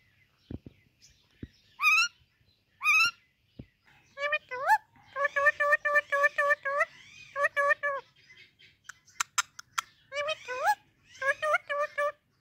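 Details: Indian ringneck parakeet talking while greeting baby parrots: a run of speech-like phrases with wavering, harmonic tones, a couple of high rising squawks early on, and a few sharp clicks at the start.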